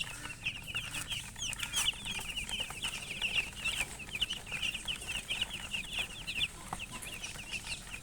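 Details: Many chicks chirping at once, a busy, steady chatter of piercing little peeps lasting throughout, with a dull low drone behind.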